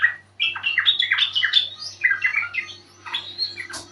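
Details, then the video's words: Yellow-vented bulbul lure sound for getting birds to call back; fast, jumbled warbling of liquid notes sweeping up and down, steady throughout, over a low background hum. "Panggilan burung trucuk sangat jitu dijamin nyaut"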